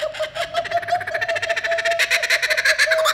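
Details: Kookaburra at Baltimore Zoo visit to an elementary school: rapid, chuckling bursts of harsh laughing notes, about three per second, growing louder and wilder toward the end.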